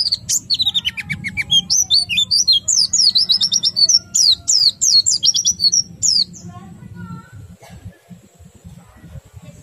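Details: Oriental white-eye singing in the rolling ngerol and twittering ngriwik styles, used to stimulate other white-eyes to sing: a rapid run of high, thin chirps and downslurred twitters for about six seconds, then quiet, over a low background hum.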